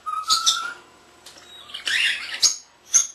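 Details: A pet common starling under a year old mimics speech phrases, whistles a tune, copies other cage birds and a camera's beeps: a steady mid-pitched whistle, then rasping, speech-like chatter and a sharp, high electronic beep.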